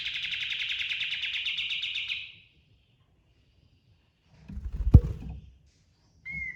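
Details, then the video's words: Pied triller singing in the rolling 'ngerol' style: a fast, buzzy, evenly pulsed trill of about two seconds. A dull thump follows after a pause, then a brief clear whistle. "Suara Burung Kapas Tembak Ngerol & Nembak Full Isian"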